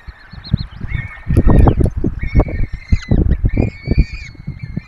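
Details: Peregrine falcons feeding their four chicks at a nest in the Barycz Valley, Poland, seen by webcam: a few short notes, then level drawn-out wailing calls repeated about every second, amid loud thuds and scraping.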